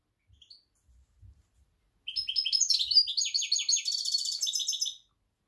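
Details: European goldfinch, jilguero parva, in October: after a few faint knocks, a fast, continuous warble of tinkling chirps and buzzy trilled phrases lasting about three seconds.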